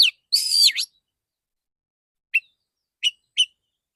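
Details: Therapy recording of a male Oriental magpie-robin singing full, clear 'tembakan' song. A rich, buzzy-edged whistled phrase dips and rises, then three short sharp notes follow after a pause.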